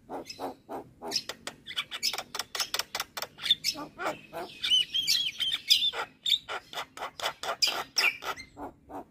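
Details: Javan myna singing on and on: a long train of rapid harsh clicks and rasps, about two per second, with whistled and squealing notes woven through the middle.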